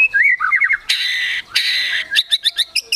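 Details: White-rumped shama, an agitated 'gacor emosi' singer with mimicked phrases, gives varied whistled slurs around the middle pitch range, two long harsh buzzy bursts, then a rapid series of sharp repeated chips.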